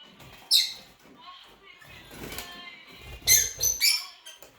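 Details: Rosy-faced lovebird giving short, shrill, harsh screeches in two bursts, one single and one a quick cluster of three, with soft background murmuring between them.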